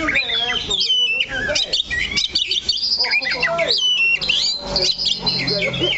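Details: Perched kacer, the oriental magpie-robin, keeping to one spot while it pours out dense, varied whistled phrases with rapid trills and high chirps, with a low hum in the background.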